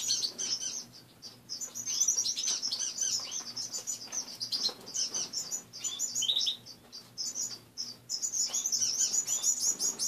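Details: Morning chorus of caged pet finches indoors: dense, high-pitched peeping and chirping from several birds at once, dropping to near quiet for a moment midway before the chatter resumes, over a soft low hum.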